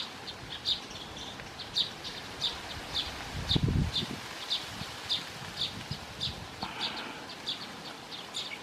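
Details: Baya weavers with chicks call: short, high chips repeated about every half second over soft rustling, with a brief low thump partway through.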